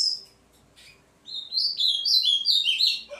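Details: A Double-collared Seedeater, a competition bird, sings in the early morning before a tournament: a quick, high, jumbled run of twittering notes for about two seconds, after a few faint chirps.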